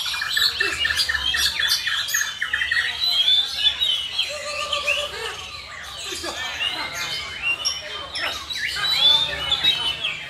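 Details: Black-tailed white-rumped shama at a bird singing competition in Batusangkar, West Sumatra, Indonesia; dense, varied whistled and chattering phrases run without a break, with several birds overlapping and faint human voices in the background.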